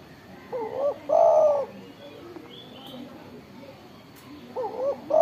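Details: Spotted dove, tekukur, described as loud-voiced and calling eagerly: a phrase of two short rising hoots, then a longer, steady, hollow coo, heard twice about four seconds apart over a quiet background.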